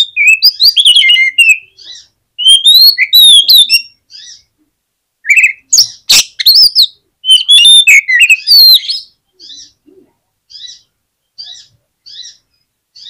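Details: Oriental magpie-robin singing, used to make a lazy bird respond: dense bursts of quick whistled notes and chatter for several seconds, a harsh rasp midway, then a series of short, evenly spaced chirps toward the end.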